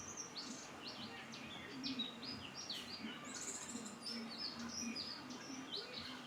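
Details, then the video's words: A white-eye gives a rapid run of high, thin chirps and short sliding whistles, tumbling almost without pause, over a steady low hum. "burung pleci"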